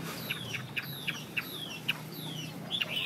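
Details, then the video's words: Chinese hwamei song: a run of short bright whistled notes repeated about twice a second, each a quick downslur, ending in a louder twittering flourish, over a low steady background hum. "Hoa mi xoe 32"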